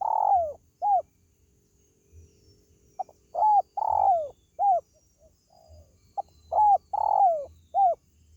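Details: Spotted dove calling to lure pet birds at home, giving repeated husky coo phrases: a long falling coo followed by shorter hooked notes, about nineteen phrases a minute, in a quiet setting.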